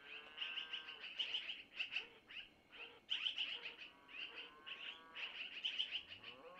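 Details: Young long-eared owls in a nest near Missoula, fed by their mother with food passed from the male. Dense runs of shrill, squeaky chirps repeat in clusters, with a faint lower harmonic tone now and then.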